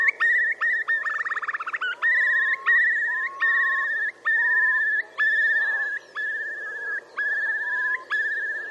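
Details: Male Eurasian curlews displaying to attract mates and defend territories beside Tindale Tarn, Geltsdale, late April 2021: long, clear whistled notes slurring upward about every second, with a rapid bubbling trill early on.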